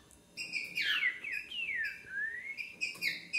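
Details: A green-winged saltator sings on 20 February at 1:10 in the afternoon: loud, clear whistled phrases that slide down and swoop back up, with sharper notes at the start and end.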